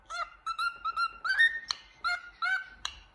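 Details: A happy cockatiel looking in a mirror whistles and sings: a run of short, bright whistled notes, about seven in three seconds, some with a slight upward slur; nothing else is heard.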